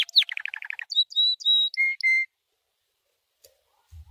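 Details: White canary training song: a short chattering trill of rapid notes, then a few clear steady whistles at two pitches, followed by near silence.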